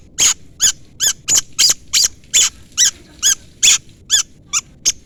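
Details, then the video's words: Long-tailed shrike uttering a chirping call to draw a rival: harsh, nasal notes, each with stacked tones, repeated about every 0.4 seconds in an even series. "pancingan cendet gacor full isian CUITAN MEMANGGIL LAWAN"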